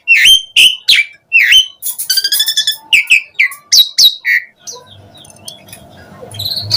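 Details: Asian pied starling in lively 'gacor' song, played as a lure so other starlings respond and sing: repeated rich whistled notes, then scratchy chatter. After about four seconds the singing drops to faint calls over a low hum.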